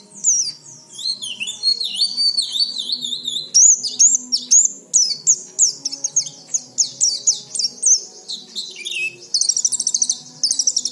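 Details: Extended oriental white-eye song with swooping whistles, rhythmic high chirps and a closing fast buzzy trill, used every day to draw untrained birds into singing.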